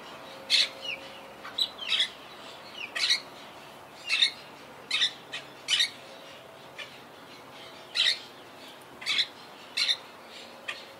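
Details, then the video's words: Colony of wild Quaker parakeets high in trees, survivors of hurricane Irma in 2017, giving repeated grating squawks, often paired, at irregular intervals of about one second over a quiet background. "Yacht Club Colony Retrospective🌴 Clips and Sounds 🦜"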